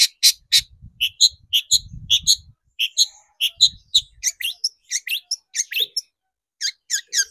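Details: Long-tailed shrike on a lure track to provoke singing: varied bright chirps and twittering notes delivered in quick, uneven phrases, with faint low thumps in places.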